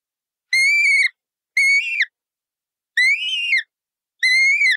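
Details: Colourful parrot uttering four clear, rich whistled notes, each about half a second long, steady then slightly falling, spaced roughly a second apart in otherwise quiet surroundings.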